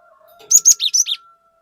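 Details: Cinereous tit singing vigorously, a lure recording meant to excite other tits: a quick burst of five high, whistled and slurred notes, the last two dropping in pitch, over a faint steady hum.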